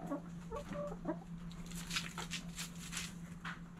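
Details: Backyard hens at morning sunrise clucking: a few short, low clucks and a brief tonal note early on, then scattered clicks and rustling over a steady low hum.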